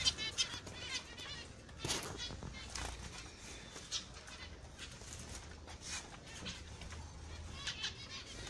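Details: Busy finch chatter: many short, high chirps and squeaks overlapping irregularly, several louder broadband bursts, and a low rumble beneath.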